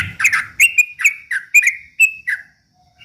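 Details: Short burst of trucuk bulbul song used to provoke rivals: about seven quick whistled notes with sharp attacks, some rising and some falling, ending in silence.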